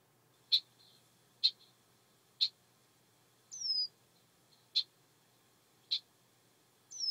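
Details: A red-winged blackbird in a swamp gives sharp, high chek notes about once a second, with two thin, falling whistles between them, against a quiet background; the call is described as a mating call.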